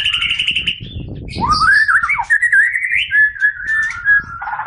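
A green leafbird sings a continuous run of rich, sliding whistles that rise and fall through mid-high pitches, over a faint low rumble.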